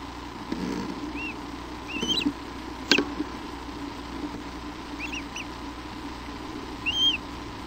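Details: Eaglet hatched that afternoon on Hornby Island, British Columbia, during its first feeding, April 28, 2011: soft, short high peeps in small clusters, with faint rustling and one sharp knock over steady background hiss.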